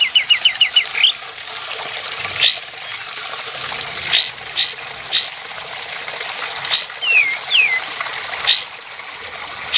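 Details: Male sooty-headed bulbul song used as a lure and training model for contest birds: a quick series of five short whistled notes, then sharp rising upslurred whistles and a falling slurred note, over a steady hiss like running water.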